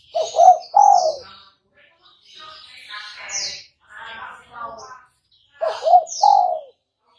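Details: Spotted dove calling, used as a trapping lure. The soft three-note coo phrase opens and closes the recording. A murmur of voices and scattered high chirps fill the middle.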